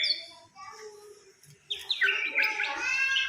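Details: Samarinda white-rumped shama kept as a fighter bird: soft, quiet notes at first, then a sudden burst of dense, rich warbling with overlapping whistles and a faint low rumble underneath.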